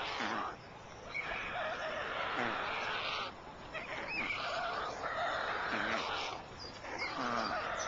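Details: White stork adults clattering at the nest on an evening in late June 2010 while swapping care duties and feeding; dense rattling bursts of a few seconds each, interrupted by brief gaps, with thin tonal squeaks between.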